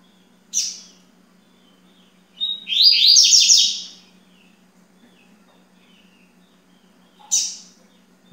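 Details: Yellow-bellied seedeater, on day two at 9:20 in the morning: a single high buzzy, scratchy phrase of about a second, framed by sharp thin chip notes before and after, over a steady low electrical hum.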